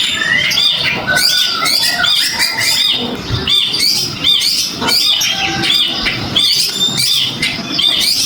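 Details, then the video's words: Oriental magpie-robin (kacer), stimulated by a lure to sing, pours out rapid, rolling phrases of bright whistles and harsh chatter without pause, some notes upslurred and buzzy. "Pancingan Kacer Biar Bunyi, Auto Ngeroll Cuy!"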